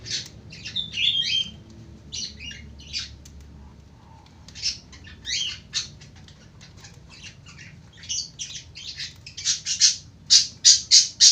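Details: Lovebird chattering at length: shrill, scratchy squeaks and buzzy chirps in irregular bursts, ending in a fast series of sharp, piercing notes.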